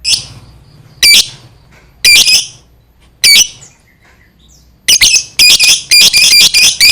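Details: Lovebird giving long 'ngekek' chatter meant to provoke other lovebirds into answering: harsh high squawking bursts, some single and some clustered, separated by short pauses, with a faster run of squawks near the end.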